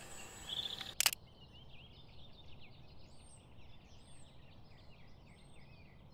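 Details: Male Common Redstart singing around an observer after flying across, in an oak woodland in spring; a loud camera shutter click opens, followed by faint, high, quick twittering phrases repeated over a quiet background.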